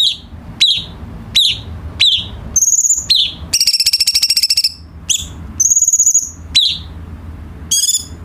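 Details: Light-vented bulbul tutor song for training captive birds: a row of sharp downward-sweeping notes about every second, broken by level high whistles and a long pulsed buzzy trill, with a faint hum below.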